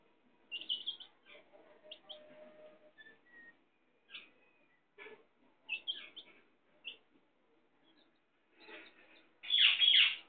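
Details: Hen with her chicks: high, short chick peeps scattered through, with a louder harsh squawk near the end.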